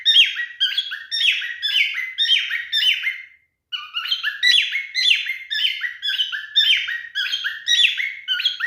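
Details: A male cockatiel sings to court, kept indoors: long run of repeated whistled phrases, about two per second, each with an upward sweep and falling tail, with one brief pause.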